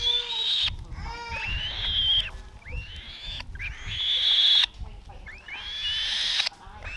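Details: Falconry-kept black-shouldered kite chick aged 35 days while being given food: strained, upslurred screeches repeated in long bursts over a background of low rustling and handling noise.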